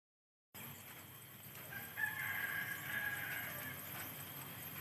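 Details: Chicken (Gallus gallus domesticus), crow.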